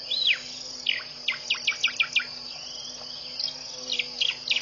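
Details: Early-morning birdsong at a pond in Mashatu Game Reserve, Botswana, 4 January 2014, 5:00 am: a looping whistled phrase, then a series of quick, sharp descending notes repeated in a run, over a constant high drone.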